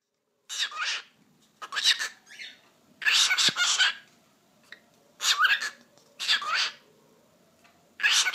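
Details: Pet cockatiel talking, repeating the Turkish phrase "eşek sıpası" (donkey foal): six raspy, hissing, speech-like bursts, each under a second, with brief tonal glides inside, separated by short quiet gaps in a small quiet room.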